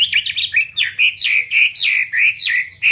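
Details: Chinese hwamei kept caged for fighting gives a dense string of loud, fluty whistled notes, each bending downward then up, repeated in quick succession for three seconds.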